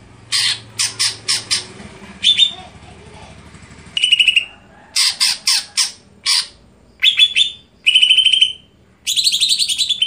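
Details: Greater green leafbird song of about ten seconds: bursts of rapid harsh notes alternating with bright, buzzy whistled trills and short chattering runs. A low mechanical drone plays under the first two seconds.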